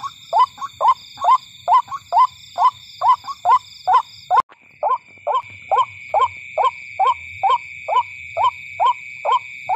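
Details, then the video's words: Night lure recording of a white-breasted waterhen: a rhythmic run of about twenty-two short, upward-sliding notes at a steady pace, broken by one sharp click midway, with continuous high electronic-sounding tones behind. "WATERHEN SOUND / DAK FAKHIR DAK / SUARA RUAK-RUAK/ TIKLING BIRD SOUND"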